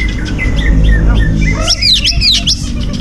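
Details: Greater green leafbird, a competition songbird, giving a burst of loud, sweet whistled notes with quick rising and falling slurs, over a low background rumble and faint music.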